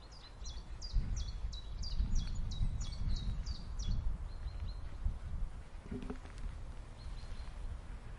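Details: A common chiffchaff sings a quick run of about ten high notes that alternate up and down, then a few fainter notes, over a steady low wind rumble.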